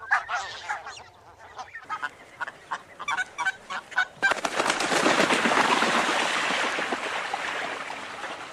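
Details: Barnacle goose: about four seconds of short, yapping, bark-like honks repeated several times a second, then a loud, steady rushing noise takes over and buries the calls for the rest of the recording.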